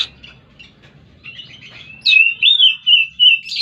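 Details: Oriental magpie-robin singing soft twitters that build into loud, clear, wavering whistled phrases, with a low background rumble early on.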